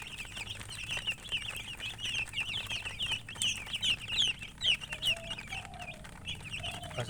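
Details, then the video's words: Colored chickens chirping: many high, thin chirps overlapping in a rapid, uneven stream, each a short rising-and-falling squeak. A few lower, softer notes appear near the end over a faint background rumble. "silly chicken chirping sounds with murgi hen color chicken"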